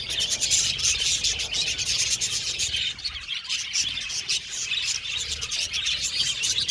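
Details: Aviary colony of budgerigars, said to be happy, keeps up busy high-pitched chirping and scratchy warbling with clicking notes; the chatter thins briefly midway, then builds again.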